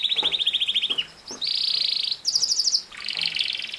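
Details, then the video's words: Canary song meant to teach a young male canary to sing: distinct phrases of rapid pulsed trills, one dropping in pitch, a steady flat roll, a very high rattling burst, then a lower buzzy trill. "How to make a CANARY Sing fast | The BEST video for CANARY SINGING"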